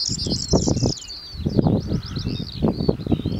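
Corn bunting giving a high, dry, jangling song like rattled keys, running continuously through the clip over heavy low wind rumble.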